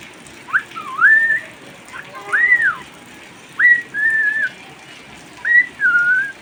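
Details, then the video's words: Pet cockatiel singing in the rain, giving arched and upslurred whistles in pairs, each phrase a quick rising note followed by a steadier held tone, separated by brief gaps. "My cocktiel bird loves rain"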